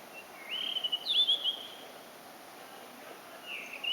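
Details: Blue-and-white flycatcher singing while hidden from view: a bright, rapid whistled phrase with rising and falling slurs and quick trills, then a pause and a final upward-sweeping whistle.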